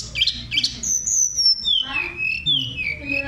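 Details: Training recording of hill blue flycatcher song for caged birds to copy: two sharp chips, then long clear whistles gliding from high to lower pitch, drawn out and sweet, with a faint low hum behind.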